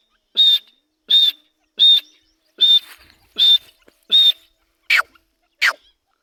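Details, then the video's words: Grey francolin, a lively call: a series of six sharp high whistled notes roughly every 0.75 seconds, followed by two harsher descending notes. No other sounds. "dhakni teetar ki masti wali awaz /teetar ka sound/teetar awaz"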